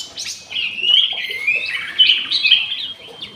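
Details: Black-headed bulbul held in an aviary, singing busily: a continuous bright, liquid warble of tumbling whistled notes, steady and full for about three seconds.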